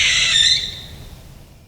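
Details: Barn owl screech call, a scream rather than a hoot, heard at night during hunting or territorial disputes: one harsh, hissing scream lasting about half a second, then it fades away with no other sounds.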